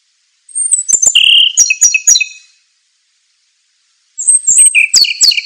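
Scarlet minivet giving two quick bursts of high, thin whistles and sweet chirps, each about two seconds long with a pause between. No other sounds.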